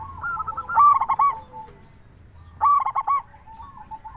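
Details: Active local zebra dove in a lure recording meant to make other doves call: two phrases, each a bright stuttering burst of coos trailing into softer rolling notes, about two seconds apart.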